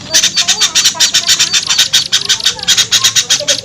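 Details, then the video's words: Small-bird lure sound: a steady run of scratchy, high chatter notes, about four per second, with brief lower whistled slurs between them. "SUARA PIKAT AMPUH UNTUK BURUNG KECIL SUSAH TURUN"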